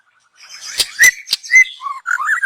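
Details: Young wild white-rumped shama from the forest, recorded for use as a lure: a short phrase of clear, sliding whistles broken by sharp clicks, ending in warbled notes.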